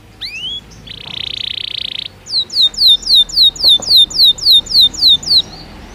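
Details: A Belgian canary sings naturally. A rising chirp and a buzzy rattle come first, followed by a regular sequence of crisp downslurred notes, about three per second, over soft background hiss.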